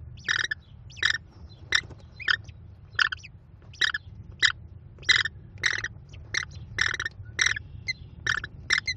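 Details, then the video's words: Five American kestrel chicks at their nest being fed by their mother, giving loud harsh buzzy begging bursts repeated roughly every half second, steady rumble underneath. "Mom Working Hard Feeding 5 Hungry Mouths!"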